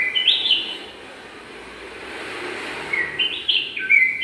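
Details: In a garden, a bulbul from a nest-building pair utters quick warbled whistles, two clusters of stepped notes at the start and end separated by a quiet spell of faint hum.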